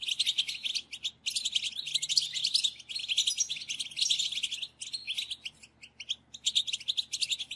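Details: European goldfinch calls recorded as a lure for trapping, in the calling style known as bitbita: dense, rapid, high twittering and tinkling notes, run together in bursts with brief pauses.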